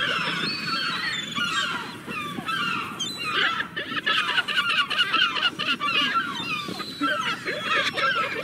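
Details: Many gulls calling together, a busy layered mix of harsh, falling cries with some louder squawks rising above the crowd.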